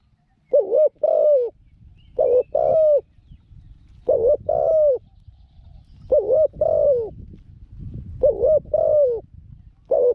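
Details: Spotted dove used as a decoy to trap wild doves, said to coo readily with a small voice: six paired coo phrases, a wavering note then a drawn-out one, roughly every two seconds over low rumbling background noise.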